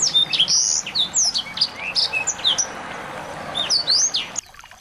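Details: Several small birds, played to provoke a white-rumped shama to sing, give a dense stream of overlapping high chirps, twitters and sliding whistles, with a faint steady background hiss.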